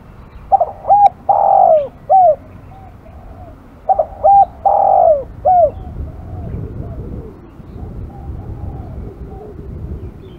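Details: An aggressive spotted dove delivers two cooing phrases roughly three seconds apart. Each has clipped opening coos, a drawn-out buzzy note and a curved closing coo, followed by soft hoots and low background rumble.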